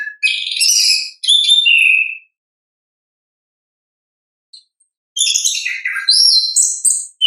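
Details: Orange-headed thrush in natural song, meant to lure lazy captive birds into singing: a burst of rich whistles and chatter, a long quiet gap, then another varied run of rising and falling whistled notes.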